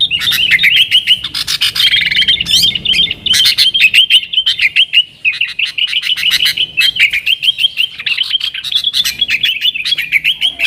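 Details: Long, busy nggaruda-style song of a yellow-vented bulbul, meant to attract wild sooty-headed bulbuls: dense streams of rapid chirps and liquid warbles, nearly unbroken, with brief dips between runs.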